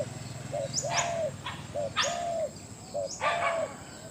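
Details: Captive big-voiced spotted dove cooing: three low phrases, each a short note followed by a longer level coo, spaced about a second apart, over a steady background hiss and hum.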